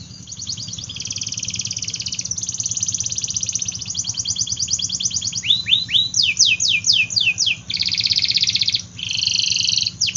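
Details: Canary song with extended buzzy trills and rolling rattles, then bursts of steep falling and rising sweeps; a low background hum runs throughout.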